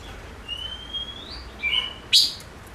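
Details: Chim ngũ sắc giving a long, thin, gradually rising whistle, then a short slurred note and one loud, sharp chirp.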